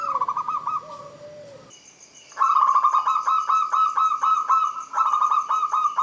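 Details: Perkutut, local zebra dove, in a lure recording to make silent birds sing: a brief trill and lower coo, a quiet gap, then a loud rhythmic string of rolling, pulsed coos with a high whine.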